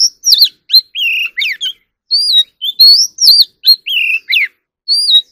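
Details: Oriental magpie-robin during voice training for singing contests: a rapid varied run of about twenty whistled notes, some rising, some dropping steeply, some short trills, delivered with barely a pause. Clean background.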